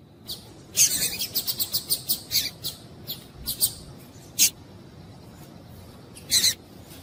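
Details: Female double-collared seedeater call meant to stimulate a male to sing: a loud high chirp, then a quick run of about eight short high ticks, followed by scattered isolated sharp notes and a final double chirp over quiet background.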